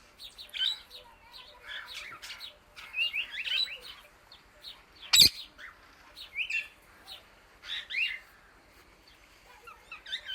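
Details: Indian ringneck parrot chirping loud to call the birds: irregular clusters of bright, scratchy chirps throughout, broken by one abrupt sharp click near the middle.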